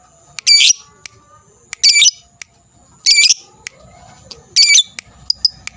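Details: Fighter lovebird giving its ngekek, a long trill said to provoke emotion in other birds: four loud, harsh, rasping bursts high in pitch, each about a third of a second, repeated every second or so, with faint chirps between and a quiet background.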